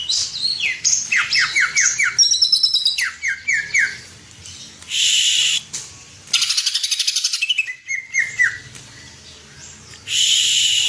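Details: Champion cucak ijo, a greater green leafbird, giving runs of quick descending whistled notes, a few steady level whistles, and loud harsh rasping bursts between phrases.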